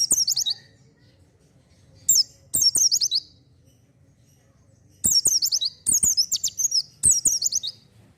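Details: Oriental white-eye song used as a lure for untrained birds: bursts of rapid, very high twittering notes in half-second phrases, repeated at irregular intervals with silent gaps, with a few sharp clicks and faint low hum.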